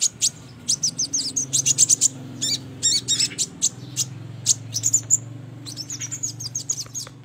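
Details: Sogon calling as a lure for trapping birds: quick, sharp high chips in clusters, some slightly warbled, over a constant low droning hum.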